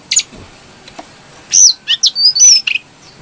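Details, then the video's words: Shrill song of a brown-throated sunbird in breeding condition, played to coax birds into singing: after a lone high chip comes a short cluster of loud, slurred, very high whistles and chirps. "Pancingan burung kecil nembak,Jongkangan gacor -isian pedas birahi stabil"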